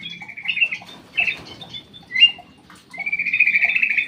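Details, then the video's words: Black-crested bulbul kept in an aviary, singing clear whistled phrases: short warbled notes early, then a long, steady, slightly wavering whistle over the last second, with faint low background hum. "BURUNG CUCAK EMAS \ KUTILANG EMAS SUARA MAKIN BENING"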